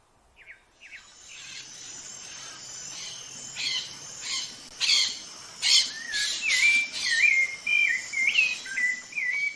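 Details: Brazilian rufous-bellied thrush song. It opens with a series of sharp, clipped notes repeated about every half second, then shifts into flowing, looping whistled phrases that rise and fall. A faint steady hiss runs underneath.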